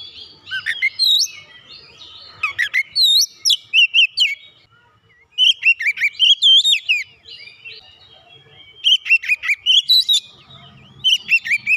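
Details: Oriental magpie-robin provoked into agitated, heated singing, unloading its learned song repertoire: bursts of sharp, whistled, rapidly bending notes and chips in quick runs, separated by brief pauses.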